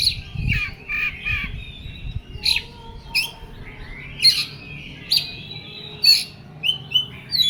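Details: Oriental magpie-robin in heated, agitated song, alternating scratchy chatter and clear, bright whistled notes in irregular bursts, with a few low thuds early on.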